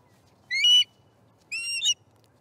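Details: Two separate squealing whistles from an osprey at the nest at breakfast, 18 September 2019, each rising then breaking into a harsh edge, about a second apart in near silence.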